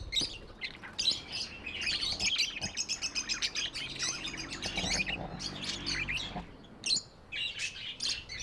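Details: Tame budgerigars in steady chattering chorus, fast clicking chirps and warbles layered together, continuous throughout with brief louder squawks.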